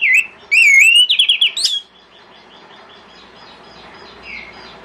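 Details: Orange-headed thrush singing in the morning as a lure for other thrushes: under two seconds of loud, warbling whistles with a quick stuttering run of rising notes, followed by near silence and one faint distant note.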